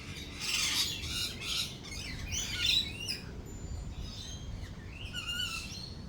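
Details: Lorikeets chatter in shrill, screechy bursts, several overlapping harsh squeaks in quick succession, over a low steady rumble, during rolling thunder and lightning.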